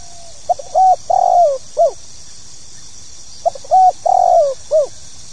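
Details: Spotted dove (tekukur) in 'pokal tanggung' call style, two identical phrases about three seconds apart, each a short stutter, a rounded coo, a long descending coo and a brief final note; steady hiss behind.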